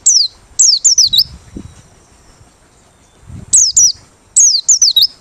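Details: Merapi white-eye singing with open beak, a bird suited as a lure: bright high whistled notes, each sliding down then flicking up, in quick bursts of three or four separated by pauses, with faint low rustling.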